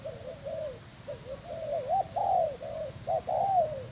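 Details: Spotted dove of Thailand stock used as a decoy bird, 18 June 2018, giving clear mellow coos in short groups that rise slightly then fall, loudening toward the end, against a quiet background.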